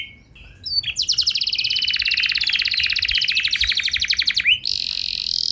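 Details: Canary lure song to get other canaries singing: a few short notes, then a long, loud, very rapid buzzy trill lasting about four seconds, followed by a harsh hissing rattle.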